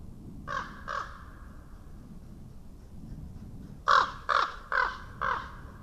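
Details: Wild common raven recorded by a webcam in Estonia, 2017: two softer croaks, a pause of almost three seconds, then four loud, harsh, evenly spaced croaks in quick succession over faint low background hum.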